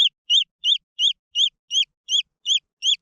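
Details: Jungle fowl chicks, green junglefowl, calling in short arched peeps, nine evenly spaced notes in three seconds, bright and high with a quick rise and drop.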